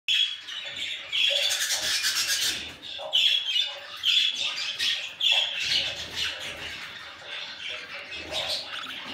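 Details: Baby budgerigars chatter in a steady stream of high, scratchy chirps and squeaks that overlap with little pause, with a few sharper squawks now and then.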